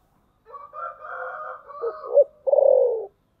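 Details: Spotted dove used as a decoy to lure wild birds, in the thunder-voice coo style: a long wavering two-toned drone, then a short low note, ending in a loud downward-sliding coo.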